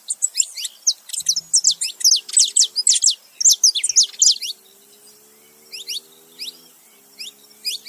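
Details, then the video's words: Male and female saffron finch calling together: a fast, lively string of high, sharp, downward-slurred chirps for about four seconds, then sparse softer notes, with a faint low hum behind. "canário da terra macho e fêmea junto fazendo barulho"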